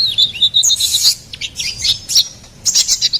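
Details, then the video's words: Ruby-cheeked sunbird, called kolibri ninja locally, in gacoran song: a run of evenly spaced high tinkling notes, then rushed buzzy twitters and shrill bursts, all very high-pitched. "SUARA GACORAN KONIN KOLIBRI NINJA"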